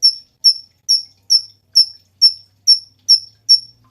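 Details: Cungkok calling in a clean, even rhythm: piercing high chip notes, each slightly drawn out, repeated a little more than twice per second.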